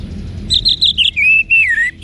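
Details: Orange-headed thrush, a caged songbird from North Bali; a quick series of four high chirped notes followed by two longer slurred whistles, the last falling in pitch.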